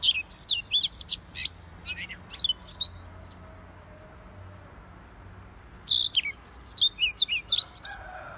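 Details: Siberian rubythroat singing busily: rapid, varied, high chirps and sliding whistles for about three seconds, a quiet gap, then another dense burst of squeaky notes, with a faint low tone near the end.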